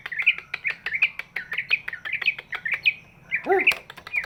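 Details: Greater green leafbird, large-bodied, sung as a lure for reluctant singers: a steady series of bright chirped notes several per second, then a short harsh lower squawk near the end.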